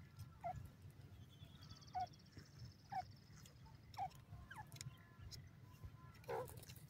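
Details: Dakhni teetar, or partridge, sounding single short, falling notes about once per second, with faint higher chirps and a continuous low rumble behind.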